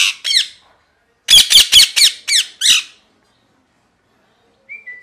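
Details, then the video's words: Parrot giving harsh, broadband screeching squawks: two at the start, then a rapid burst of five about a quarter second apart, followed by silence and a faint thin whistle at the end. "Parrot Chirping Sounds | Natural ParrotSounds | Parrot Calling Sounds"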